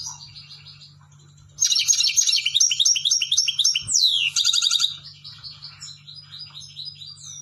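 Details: Singing European goldfinch: quiet chips lead into a loud run of bright, rapid tinkling notes with a sweeping descending slur. It fades to softer twitters at the end, with a constant low hum and one brief thump.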